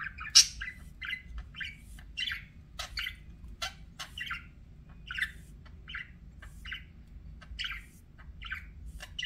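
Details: Budgerigar kept as a pet gives a steady string of short, sharp chirps, one roughly every half second, some clipped and squeaky, others slightly warbled, over a quiet low background hum.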